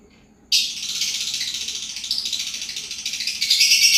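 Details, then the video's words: Lovebird, kept as a pet, singing in a long unbroken ngacor-style run: a dense, high, rapid chattering trill pulsing about three times a second, growing louder and shriller near the end. "love bird, lobet, Mainan baru,Ngacor lur"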